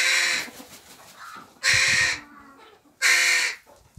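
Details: A young crow in an aviary of juveniles begs loudly while other young crows feed it; three strained, hoarse caws roughly every one and a half seconds, with faint croaking in between.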